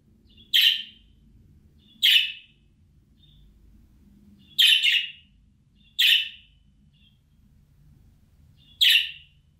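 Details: Budgerigar calling sound for luring back a bird that has flown away: six scratchy chirps, one doubled, spread irregularly over nearly ten seconds, with faint low background noise.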